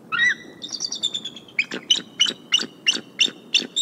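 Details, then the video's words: Mother bald eagle at the Decorah nest on January 29, 2022, giving warning vocals as a sub-adult visitor and a skier come near. A short squeal is followed by a rapid run of high, sharp piping chirps, about three per second. "Mom Concern Vocals"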